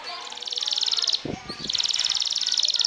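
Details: Champion canary singing in the sobek style, trilling to overpower and provoke rivals: rapid buzzy high trills that break off mid-clip for a short low rough burst, then resume as a fast repeated trill.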